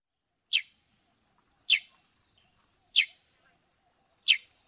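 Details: A sparrow in Africa repeats a single sharp, descending chirp four times at even intervals of about a second and a quarter, with quiet in between.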